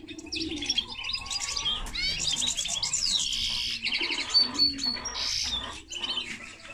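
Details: A linnet-canary hybrid delivering continuous quick trills and buzzy chirped phrases high in pitch, broken by a clear whistled note near the middle, over faint low sounds.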